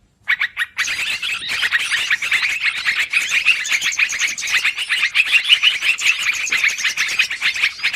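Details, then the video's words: Yellow-vented bulbul calls used as a long, busy lure for trapping birds: dense, continuous chirping and chattering notes with rapid overlapping twitters, steady throughout after a brief silent start. "Suara pikat burung trucukan ribut durasi panjang"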